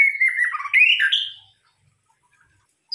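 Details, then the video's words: White-rumped shama singing on a lure recording: one and a half seconds of rich, wavering whistles that rise and break into warbles, followed by silence. "pancingan murai batu"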